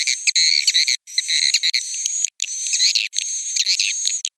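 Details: Busy high-pitched twittering of swiftlets at roost, rich buzzy chirps stacked over a thin steady whine, in three long bursts with brief gaps.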